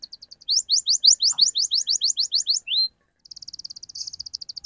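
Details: Canary lure song for young canaries to answer, with ngriwik and cuit cuit sounds; a regular series of bright rising chirps, one sliding whistle, a pause, then a soft quick trill.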